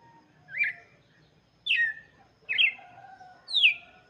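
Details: Song of the red-cowled cardinal, intended for chicks, with four bright whistled notes that slide downward, roughly one per second, and a faint low hum beneath.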